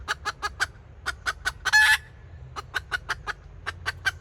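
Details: Red junglefowl decoy hen from 2024 giving kataak-style calling: a quick string of short, sharp clucks, about four a second, broken once by a loud, harsh, drawn-out squawk before the clucking resumes.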